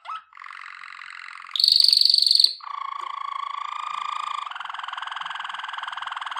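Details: Waterslager canary singing for training, holding long unbroken rolling trills that change pitch: a mid-pitched roll, then a bright high whistled tour, then lower, deep, bubbling water-like rolls that carry on steadily.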